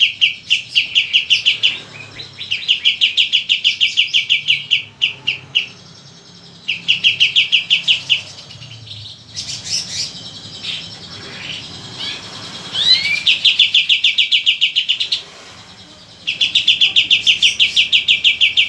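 A white-eye sings bursts of rapid, high chirping notes, repeated in runs separated by brief pauses.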